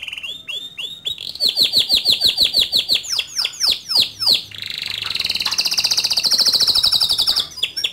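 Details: Male canary in full ngerol nembak song, meant as a master for young canaries: falling whistled notes repeated about three per second that speed up, then a dense, fast buzzy roll held for several seconds.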